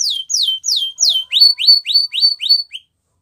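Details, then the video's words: Spanish Timbrado canary training song: four quick, high falling slurs, then six fast rising chirps at about four notes a second, with nothing else heard. "Canary Training Song | Canary Spanish Timbrado"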